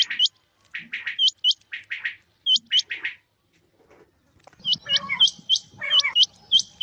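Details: Rain-time calling by a male and female quail: rising whistles paired with gruff, raspy bursts, a quiet pause, then overlapping whistles over low grating sounds.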